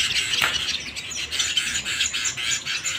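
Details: Brief burst of canary singing indoors, a bright, steady run of quick twittering notes with a rolling, trilled texture.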